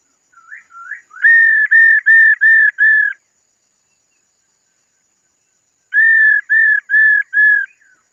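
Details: Female laughingthrush singing to stir males: two soft upslurred whistles lead into five loud, even whistled notes, silence for nearly three seconds, then four more matching whistles.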